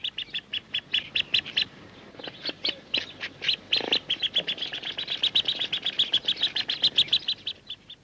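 Radjah Shelduck giving a rapid run of thin, high, squeaky whistles, several each second, with one lower rasping note partway through.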